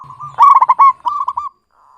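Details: Local zebra dove, actively calling, with a clear voice used to lure other doves: a single rolling coo of rapid pulsed notes near one pitch, a burst of quick stuttering notes followed by a softer trailing series.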